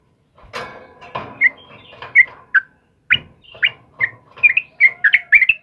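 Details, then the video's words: Sooty-headed bulbul singing energetically in the morning: short bubbly whistled notes around mid-high pitch, increasingly frequent, broken by a few rustling bursts of noise. "TRUCUKAN JENIS APAPUN PASTI RESPON DENGAN TRUCUKAN KEBO INI || suara burung trucukan GACOR PAGI HARI"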